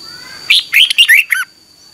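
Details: Single short morning-song phrase of a red-whiskered bulbul, a 2021 lure recording for voice training: about a second of quick, clear, warbling chirps rising and falling, then silence apart from a faint high tone.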